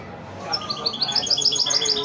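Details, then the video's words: Goldfinch × canary mule, a hybrid of a male goldfinch and a female canary, singing in the wedani style: rapid high chirping trills build up over the last second and a half after a quiet start. "هجين ويداني روعة"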